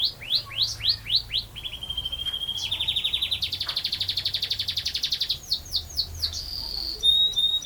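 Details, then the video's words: Chatty canary singing a long rolling ngerol panjang song. Sweeping whistled notes lead into a flat held tone, then a long fast buzzy roll. The song ends with a few more rapid slurred notes and a bright whistle. "Burung Kenari Gacor Ngerol Panjang"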